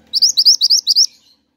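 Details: Pied triller singing actively, audio for luring and tutoring songbirds: a crisp volley of about seven bright, upward-slurred whistles delivered rapidly over one second, with a faint trailing note after.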